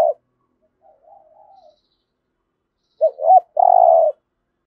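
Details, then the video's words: End of one coo, then a soft low murmuring, then a full phrase: spotted dove in the 'thổ' voice style, two short looping notes and a drawn-out steady coo, used to prompt new captive birds to sing. "Tiếng chim cu gáy thúc gù + thúc đấu đủ bài giọng THỔ giúp bổi nhanh nổi"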